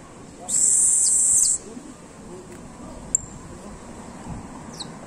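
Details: A privately kept canary of the criollo type, said to be singing firmly now: one loud, rapid, very high rolling trill lasting about a second, then a few faint, scattered short chirps over a low background murmur.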